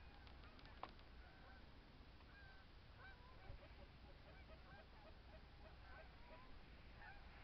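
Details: Snow geese in Michigan: a distant flock calling together, many short overlapping honks and yelps forming a steady, continuous chorus over a low background rumble.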